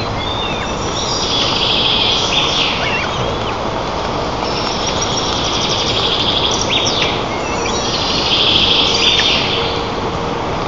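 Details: White-tailed eagles at their nest in Nizhnyaya Kama National Park, Tatarstan, on 25 June 2024, parents feeding eaglets breakfast, recorded by nest camera; thin high chirping phrases repeat in bursts over a steady roaring background noise.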